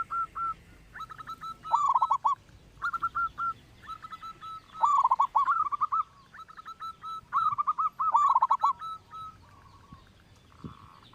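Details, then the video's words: Song of a local zebra dove, kept as a lure recording for coaxing other doves to sing; steady runs of short, soft coos broken by louder rolling trills, repeated across the whole stretch with quiet pauses between phrases. "perkutut lokal suara besar.dijamin buat pancingan no1."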